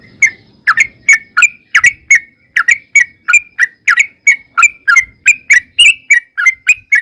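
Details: Sooty-headed bulbul in long rapid 'ropel' song, used as a lure so other bulbuls answer: a steady series of short bubbly, slurred notes, roughly three per second, with faint low rumble beneath.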